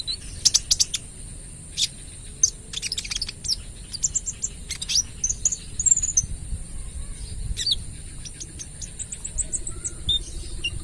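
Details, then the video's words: Olive-backed sunbird in trotol plumage, vigorous lure song: clusters of very high sharp chirps and rapid ticking runs, quieter thin notes toward the end. "KOLIBRI NINJA (Konin) Trotol Gacor Full Tembakan AK 47 - Cocok Buat Pancingan"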